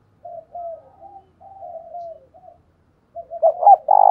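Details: Decoy spotted dove in the 'thổ đồng' style, calling to attract wild doves: a stream of soft, wavering low coos, then a louder stuttered double note rising into a full coo at the end.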